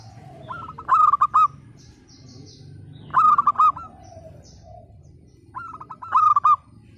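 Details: Local zebra dove, a frequent singer with a loud 'pecah' voice, used to prompt silent, lazy doves to sing: three stepped cooing phrases, each a quick burst of rolling notes, repeating about every two and a half seconds over low background hum.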